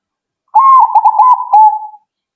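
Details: A zebra dove sings to make other doves respond straight away. A single clear phrase of about one and a half seconds slides up, then rolls in rapid pulses before ending on a longer steady coo.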